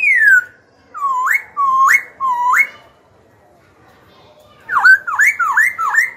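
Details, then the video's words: Caged young black-throated laughingthrush singing indoors to provoke rival birds and coach young birds: one clear falling whistle, three upward-hooked whistles, a pause, then a quick string of four rich V-shaped notes. "KHiếu tơ hót dìu bổi cực hay. Khiếu hót hay kích bổi đấu, luyện giọng bổi, chim non."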